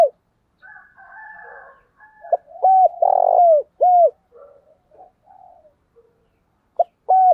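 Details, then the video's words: Spotted dove decoy calling in the 'thúc bổi' style to lure wild doves: loud, hooked coos in an uneven series, one longer burred note at the center, softer muffled cooing between, and a closing pair of coos. "tiếng cu mồi thúc bổi// tiếng chim cu gáy gọi mồi"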